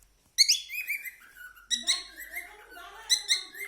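A cockatiel warbles in bright, wavering whistles, with quick sliding notes and short chattering bursts running together over a few seconds.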